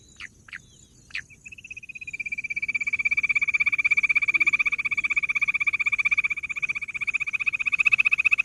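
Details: Bush quail calling: a few short sharp notes, then a long, steady, rapid pulsed trill at a fairly high pitch, about four pulses a second, growing louder over several seconds.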